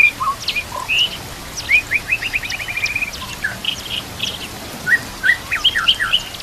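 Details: White-rumped shama song meant for training other shamas to sing, set against nature sounds and gurgling water: whistles, then a fast run of repeated notes, followed by bright slurred phrases.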